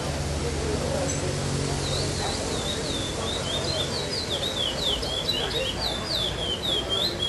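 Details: Chestnut-bellied seed finch performing 'Pardo sem Repetição' song at the Vinhedo tournament, 05/08/2012, fifth place. Low hum and voices at the start, then from about two seconds a steady run of clear, dipping whistled notes.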